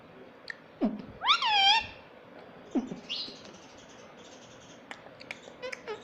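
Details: Talking pet parrot said to say mummy and papa: a short harsh drop, then one loud arched syllable that rises and falls, with a softer squeak after it, light clicks and tapping, and faint room hiss.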